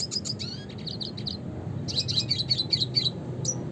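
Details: Red siskin (Spinus cucullatus) with its classic song: rapid high chirps and twitters in two bursts of repeated notes, ending on a single sharp note, over a steady low hum.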